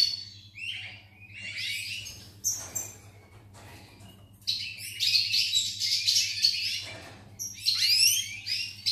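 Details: European goldfinch recorded on 8 November 2018: bursts of fast, tinkling twitters and chirps, broken by short pauses, over a steady low mechanical hum.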